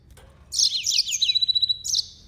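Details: Yellow-fronted canary singing one bright, high phrase of rapid repeated downslurred notes that merge into a level trill, closed by a short sharp note. No other sounds intrude.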